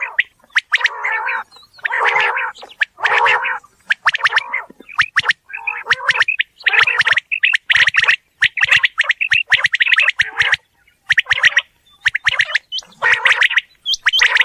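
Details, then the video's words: Quail in a real outdoor environment giving its rising call: rasping, buzzy bursts alternate with dense runs of sharp ticks and thin whistled notes, the pace quickening toward the end. "Batair ki Awaz | Quail Sound | बटेर लावा बटेर | صوت السلوى الصاعد | Bildirçin Yüksələn Səsi"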